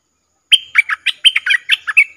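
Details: A decoy Streak-eared bulbul, recorded 3 June 2021 when a wild bird flew in and landed, gives a quick run of about eight bubbly, chirping notes, rising and falling, over under two seconds. Nothing else is heard.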